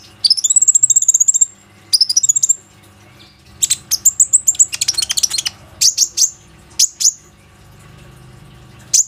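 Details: Plain-throated sunbird (konin) recorded with an Oppo A37f phone to lure other sunbirds: a fast high trill lasting over a second, then bursts of chirps and ticking, ending in sparse single notes.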